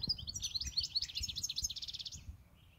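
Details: European goldfinch, eight years in captivity, delivers a continuous rapid twittering song of jumbled high notes that ends in a fast buzzy trill, with faint low thumps underneath.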